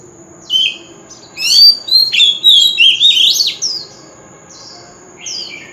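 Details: Oriental magpie-robin contest lure song in wild style: a short whistle, then a dense two-second run of rich, rising and falling warbled notes, followed by quiet and one last brief whistled phrase; a faint high steady tone persists.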